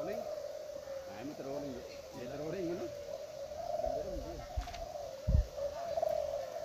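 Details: Spotted doves in the senior class of a midday cooing contest at Gunung Kembar, East Lombok, give low, soft, throaty coos in short phrases over a steady hum of many birds cooing together, with people talking nearby.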